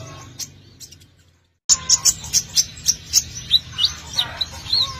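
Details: Sunbird song used as a lure to attract birds: after a quiet opening, sharp high chirps and thin whistled notes repeat roughly every quarter second, with fainter chirping underneath and a low background hum.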